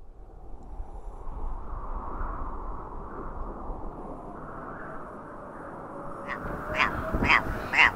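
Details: Red grouse in the Peak District: steady wind rumble for several seconds, then loud harsh croaking notes repeated about twice a second, rising in intensity toward the end.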